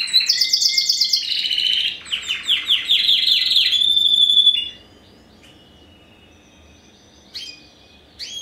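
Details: Spanish Timbrado crossed with wild canary, first generation bred in 2015, delivering fast rolling trills and ringing repeated notes for about five seconds, followed by quiet pauses with a few soft whistled notes.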